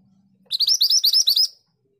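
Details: Scarlet minivet, known locally as mantenan gunung, in a long rolling tutor song: about nine sharp rising whistles in a rapid, even string lasting roughly a second, with a faint low hum before it.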